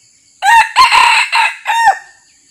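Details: Crow of a red junglefowl at a decoy session as a local territory holder approaches silently. It is a loud, harsh call in four bursts: a short opening note, two rough sustained phrases, and a trailing downslurred end.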